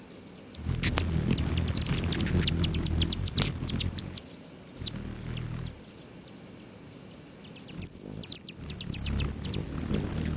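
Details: Several hummingbirds visiting patio feeders at a lodge beside Great Sand Dunes National Park, Colorado, on a July morning; a thin, steady high-pitched buzzing trill with bursts of quick clicking chips, briefly pausing, plus low murmuring noise.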